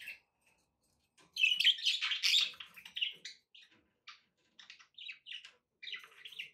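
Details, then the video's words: Pet budgerigars, several birds, chattering: a dense burst of scratchy, warbled chirps around the middle, then shorter separate tweets and buzzy notes spaced roughly half a second apart to the end, in a quiet indoor setting. "budgie sounds"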